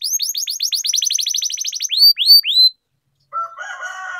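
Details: Canary training song in the ngerol rolling style: a fast run of high downslurred chirps, then three longer arched whistles, a brief silence, and a harsher lower mixed tone at the end.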